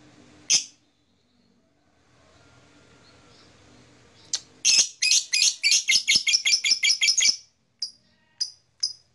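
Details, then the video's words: Blue black-masked lovebird chirping: a single shrill chirp, a quiet pause, then a rapid burst of about a dozen sharp high chirps, followed by three spaced chirps. "Beautiful Lovebird Long Chirping Sound - Blue Black Masked Lovebird"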